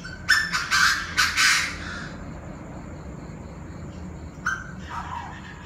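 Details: Several Chinese francolins of differing voices calling noisily at 7 pm on 9/18: a loud run of harsh, grating, broadband notes in the first two seconds, then a quieter pair of rasping notes later, over a steady low hum.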